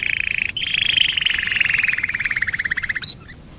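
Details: Domestic canary, singing to draw other canaries into song: a sustained rolling trill of rapid pulses that slowly drops in pitch over three seconds, ending with one sharp high note.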